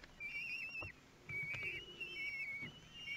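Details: Kestrel chicks aged 13 days calling for food as an adult feeds them at the nest in Théding, France, 5 June 2022; drawn-out, trilling whistled wails, steady and loud, broken by a brief gap and a few knocks.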